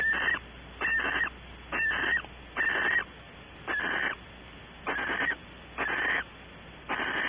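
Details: Barn owl at a nest box on a webcam at Audubon Starr Ranch, California, during evening activity around mating. Harsh, breathy hissing screeches of about half a second each, eight in a row, repeated roughly once a second.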